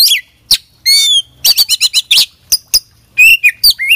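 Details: Kacer bird in energetic full song: crowded, loud phrases of high chirps, downslurred whistles and buzzy twitters following each other with almost no pause, a clean recording.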